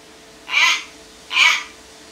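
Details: Captive pet common hill myna, kept since late January, calling angrily to demand food when its dish is empty: two loud, harsh, broad squawks, each about a quarter second long and roughly 0.8 seconds apart, over a faint steady indoor hum.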